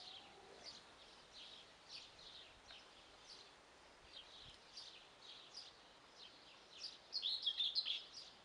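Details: Young guineafowl chicks: soft high chirps repeated steadily about three per second, ending in a louder burst of rapid shrill peeps, over quiet background hiss.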